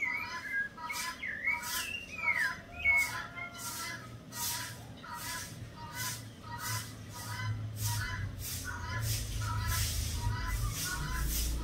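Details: A kept female thrush (sabiá) sings short whistled, slurred phrases over steady rhythmic ticking and a low hum, with guineafowl and chickens around, on 16 January 2023.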